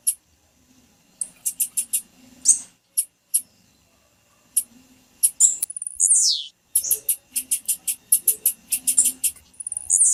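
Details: Calling of a female blue-black grassquit, a "piado" used to excite males into song for tiziu tournaments; bursts of rapid, very high, thin clicking chips, with a single high note sweeping steeply downward midway and another at the close.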